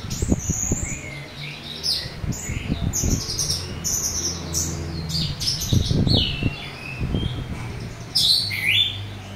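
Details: Orange-headed thrush song in full open style with a rough filler, a lure for young or reluctant thrushes; varied whistled and slurred phrases throughout, with frequent low knocking and fluttering sounds underneath.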